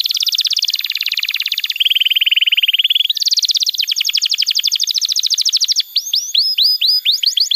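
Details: Canary singing tutor material for young birds and for canaries that stopped singing: a long run of fast clicking trills with changes of pitch, one steady lower rolling tour, then a string of bright hooked whistles.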